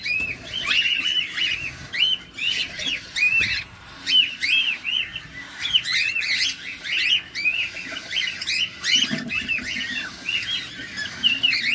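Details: Household pet cockatiel feeding close up, giving a long, busy stream of short arched chirps and whistled notes, densely repeated with small pauses, lively and continuous.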